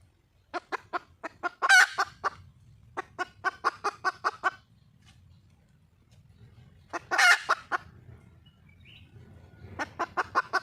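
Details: Red junglefowl hen in the wild calling to attract a male, giving rapid trains of clipped clucks broken by two loud raspy squawks, then a quiet gap before clucking resumes; low background hum.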